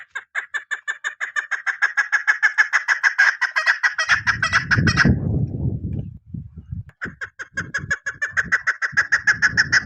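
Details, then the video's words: Rapid clucking series from a female chukar partridge kept for hunting, stopping briefly under a burst of low rumbling noise before the fast repeated notes resume. "SHIKARI Madi Female Chakor Awaz Sound شکاری مادی چکور آواز"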